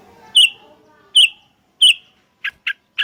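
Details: Sooty-headed bulbul calling back and forth with others: three loud, clear chirps with a quick upward inflection about once every 0.7 seconds, then three short, sharp notes in quick succession.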